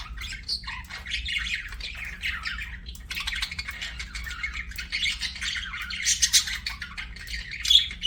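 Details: Captive budgie chirping steadily for several seconds: continuous scratchy warbling chatter, building after a short pause to louder squawks and a sharp note near the end, over a light hum.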